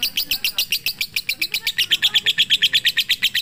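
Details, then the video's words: Lovebird in long 'pigter' chatter, a training recording for night use: bright, sharp chirps repeat rapidly and grow louder and more even toward the end, with faint low sounds underneath. "MASTERAN SUARA BURUNG LOVEBIRD COCOK UNTUK MALAM HARI FULL PIGTER"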